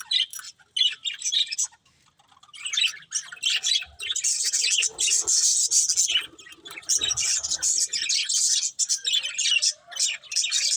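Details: Breeding pair of budgerigars chattering in dense, scratchy high warbles and chirps, with a short lull near the start and a few faint low knocks, then continuous busy twittering to the end.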